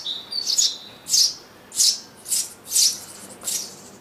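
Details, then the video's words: A pair of Eurasian tree sparrows breeding in a garden nest box in summer 2012, their family giving six loud, harsh chirps in bursts about every half second, with a quiet gap between each. "tree sparrow in nest box"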